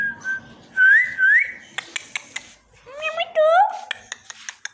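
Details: Parrot utters short rising whistles, then rich, layered vocal sounds that sweep upward in a speech-like manner, separated by crisp clicking taps.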